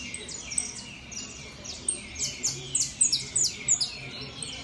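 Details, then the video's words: Saffron finch in a song competition show, delivering a fast run of bright, high chirps and downward-sweeping notes, growing louder and more distinct toward the middle, about three notes per second. "canario da terra Top Show"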